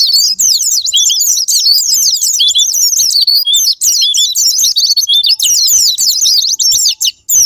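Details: Pleci (Japanese white-eye) lure song, intended to make a quiet white-eye start singing. Long, continuous stream of shrill, rapid zigzag twitters at high pitch, barely pausing across the whole stretch.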